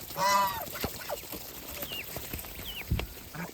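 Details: One loud drawn-out goose honk from a feeding farm flock opens the clip, followed by clicks, pecking sounds and a few thin rising squeaks.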